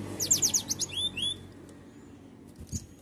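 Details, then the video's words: Canary song meant to provoke rival birds to sing: a quick run of high rapid trilled notes followed by two sweeping downward whistles, then near quiet with a faint click. "Nembak Kenari Bikin Lawan Emosian, Coba pancing Burung di rumah"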